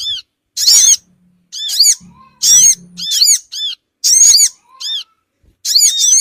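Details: Lure call of the Sogon bird, used to make small birds gather: repeated squeaky, arched notes in doublets and triplets, about one burst every second or two, over a light low hum.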